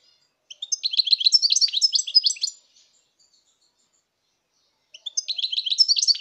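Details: European goldfinch singing in 2019: a two-second stream of rapid, sparkling twitter and trill notes, then a pause and the start of another phrase.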